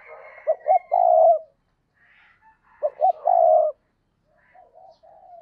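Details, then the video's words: A spotted dove kept as a decoy calls to draw in other doves, giving two cooing phrases about two seconds apart. Each is two short notes and a long sustained coo, with quiet trailing notes between. "Chim Cu Mồi, cu gay kich boi nhanh noi gù hiệu quả nhất 2023"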